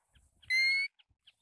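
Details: Pacific golden plover uttering a single loud, clear whistle lasting about a third of a second, gently rising in pitch with strong overtones, surrounded by a few faint soft chirps and low rustles.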